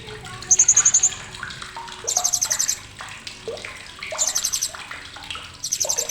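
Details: Blue-crowned hanging parrot (srindit) giving sharp chattering, used as a tutor recording for training songbirds. High, rapid chatter bursts of about eight notes, repeated every couple of seconds, over a running-water background and other fainter bird notes.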